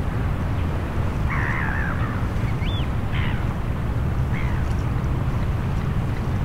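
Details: Flock of Eurasian oystercatchers on a tidal flat at Funabashi Sanbanse, Chiba, Japan, in the morning, binaural recording; a few faint, wavering piping calls rise over a constant low roar of sea and distant engines.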